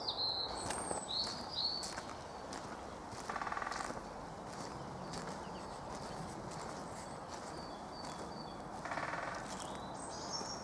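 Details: Great Spotted Woodpecker drumming in a local wood to advertise ownership of its territory: two short, rapid drum rolls about five seconds apart, with thin whistled calls of other birds and a steady background hiss.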